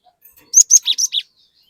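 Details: Short phrase of cinereous tit lure song aimed at getting untrained birds to join: five loud, clear high notes in quick succession, the first pair higher and the last three dropping slightly lower.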